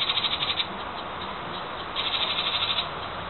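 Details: Wren guarding its nest in a birdhouse gives quick high-pitched trills, one burst ending as the clip opens and another following a second later, each a rapid run of even notes over faint hiss.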